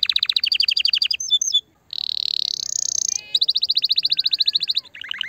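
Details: Canary singing to stimulate a hen, fast repeated trills broken by a brief pause, a buzzy dense rattle, then another quick trill and a lower chattering ending.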